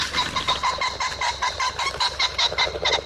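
A Common Pheasant gives a fast run of harsh, nasal, ringing notes, about five a second, cackling steadily for three seconds.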